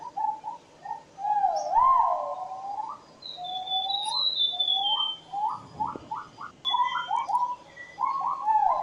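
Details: Peafowl, known locally as haruai, calling in the Kalimantan interior: a long upward glide, then a string of short rising notes that speed up toward the end. A faint higher whistled note runs in the background.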